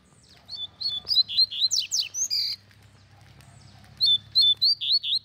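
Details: Loud song from double-collared seedeaters, two caged in hand-held cages and one wild bird singing freely. Rapid series of clear whistled, slurred notes with a few buzzy sweeps, in two phrases with a short gap between them.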